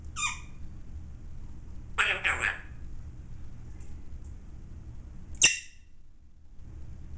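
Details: Young male African grey parrot, six months old, an early talker with a deep voice, learning to say words indoors: a short harmonic squawk, then a rough two-second burst of word-like sound, and a sharp clipped cry near the end, over quiet room hum.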